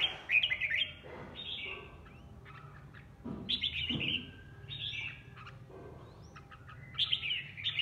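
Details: Caged red-whiskered bulbul used as a decoy, delivering short warbling phrases every second or so, interspersed with softer lower notes and a constant low background hum.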